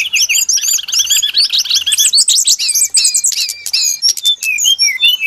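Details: Trapping lure of the brown-chested jungle flycatcher: fast rolling trills of looping high notes at the start, shifting into sharp clicks and clear slurred whistles toward the end.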